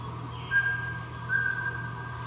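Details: At Meinong, Taiwan, on 3 September 2020, a Mountain scops owl of the Taiwan endemic subspecies utters a clean double whistle, two even, unvarying notes about 0.8 seconds apart, over a continuous low hum.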